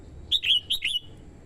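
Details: Red-whiskered bulbul kept as a decoy, singing to lure wild birds, a female stimulating the male: four quick, bright warbled notes in two pairs, each sliding downward, with a faint low hum beneath.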